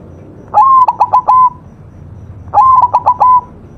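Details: White zebra dove (perkutut putih) in a master song recording gives two matching phrases about two seconds apart. Each is a rising coo followed by a rapid stutter of three or four short notes.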